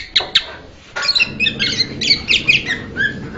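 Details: Blue-winged Leafbird (Chloropsis moluccensis) giving a rapid jumble of sharp, high chattering and squeaky notes, with two clipped chips before a busy, mimic-like burst.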